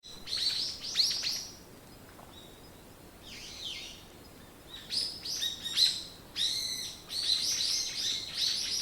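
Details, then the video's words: Birdsong in the morning: bursts of high, sharp chirps and tweets in quick runs, with pauses between phrases and a softer sliding note in the middle; quiet background otherwise. "目覚めに最適 鳥のさえずり"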